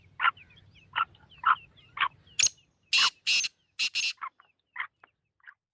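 Black francolin giving loud, harsh, grating notes about once a second, then a quick run of rasping bursts and thinner chips, over a faint low hum.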